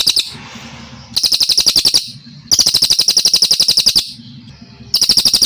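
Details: Kalimantan brown cililin singing in a long, clean training recording: three bursts of quick, sharp, high-pitched repeated notes, each about one to one and a half seconds, separated by quiet gaps with low hum.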